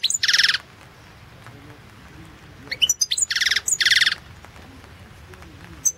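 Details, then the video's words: Goldfinch of the Balkan form, sung for the 2016 World Championship in Goldfinch Song: harsh buzzy rasps alternating with a few high thin chirps, the grating notes dominating. "Pesma štiglića"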